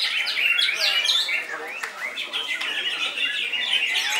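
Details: Koncer-style song from a greater green leafbird, loud and unbroken, mixing harsh squawky notes with fast sweeping whistles and twittering.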